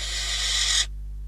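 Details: Barn owl nest camera in Catalonia, 12 December 2021, during deliveries of a bird and a rodent: a single rasping, hissing screech under a second long that ends sharply.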